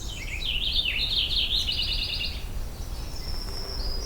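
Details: Purple Finch singing from the top of one of the tallest jack pines at an old hunt camp on an overcast morning: a rich, fast warble of tumbling notes lasting two seconds, followed by a thin, high steady whistle from another bird.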